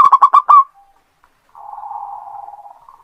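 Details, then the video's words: Singing local perkutut, or zebra dove, kept to lure other birds: five loud, rapid, clipped cooing notes open, followed by a long low buzzy rolling trill. "PERKUTUT LOKAL GACOR. COCOK UNTUK PANCINGAN"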